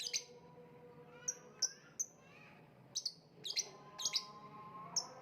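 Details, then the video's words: Lovebird uttering high, thin, squeaky chirps singly and in quick pairs, irregularly spaced through the passage, with a faint steady low hum behind. "voice of lovebird / Lovebird kicau"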